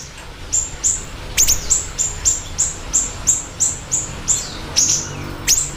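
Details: Lively siri-siri bird for lure and tutor use: a regular series of about twelve thin, high chirps, each dropping slightly in pitch, repeated roughly every half second, with a few louder sweeping notes.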